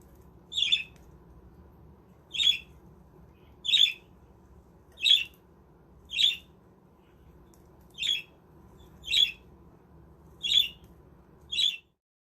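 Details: Budgies housed in a homemade aviary village give nine harsh, clipped squawks spaced about a second apart against a low hum that cuts off abruptly near the end.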